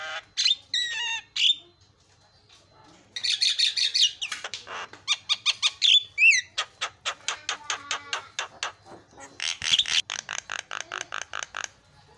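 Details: Javan myna song played to provoke other mynas: varied harsh squawks and whistles, then long sequences of rapid rattling clicks and loud buzzy bursts.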